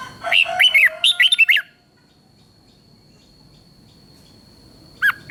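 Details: Thai red-whiskered bulbul singing the southern master style, used to excite bulbuls and teach young birds: two fast warbled phrases of clear, dipping whistles, a long pause, then another phrase starting.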